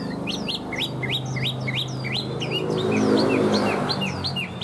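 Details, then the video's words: Tame captive Chinese hwamei singing well: a fast run of bright, sharply rising whistled notes, about four per second, over a steady low hum in the background. "Chim họa mi thuần hót tốt"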